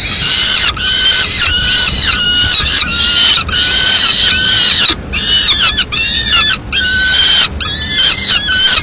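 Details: Peregrine falcon at a nest in Madrid during a mid-morning meal, the female arriving with pigeon remains; loud, drawn-out harmonic wailing calls in near-continuous series, each note rising then sagging, with brief gaps between bursts.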